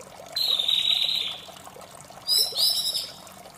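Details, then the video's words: White-rumped shama in the morning giving a long, pure, high whistle, a pause, then a short burst of bright ringing notes over a constant pouring water background. "suara merdu murai batu di pagi hari"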